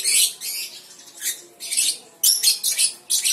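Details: Young lovebird (balibu) making short, harsh, high-pitched chattering bursts separated by quieter pauses, uneven in rhythm.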